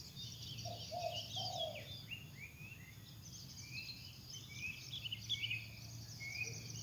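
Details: In the wild, a spotted dove sings actively: three soft low coos in the first two seconds, then mostly other birds' sharp high whistles and chirps over a constant low hum.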